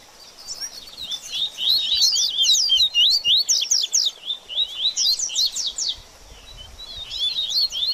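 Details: Double-collared seedeater giving a baderninha song, used to excite a bird after moulting: an almost unbroken stream of fast, high, looping whistled notes, rising and falling, with one brief dip near the end.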